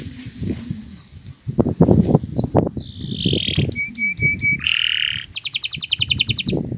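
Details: Canary song meant for training other birds, starting after low rumbling and knocking background noise: a buzzy slurred note, a run of clipped pure notes, a harsh buzz, then a very fast high trill.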